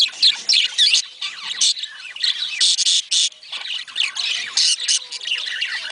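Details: Budgerigars, in a recording played to prompt breeding: loud bursts of grating squawks and fast warbled chirps, coming in choppy, uneven clusters with short quiet breaks between.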